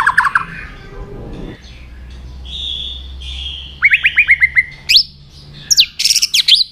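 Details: White-rumped shama stimulated into fighting song, tail flicking. A low hum and faint noise come first, then a sustained whistle, a quick run of descending notes and sharp high bright phrases near the end.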